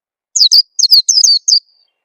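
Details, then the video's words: White-eye lure call: six bright, high chirps in about one and a quarter seconds, each falling steeply in pitch, some closely paired. Clean background, intended to get birds singing. "suara pikat burung peleci"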